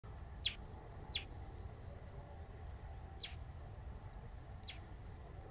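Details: A bristled grassbird calls at Baruipur grassland near Kolkata, West Bengal, India, on 21 January 2023: four short, sharp high notes spaced irregularly over steady insect hiss and a low rumble.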